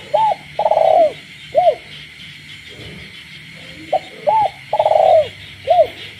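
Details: Night-time cooing of a caged spotted dove in a village: two repeated phrases of clipped note, arched hoot, long tremulous coo and descending hoot, backed by a continuous frog chorus.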